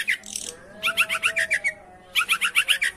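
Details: Long-tailed shrike chattering, a lure recording to get a reluctant bird singing: fast runs of buzzy, repeated notes, about four per second, in two bursts separated by a short pause, faint hum beneath.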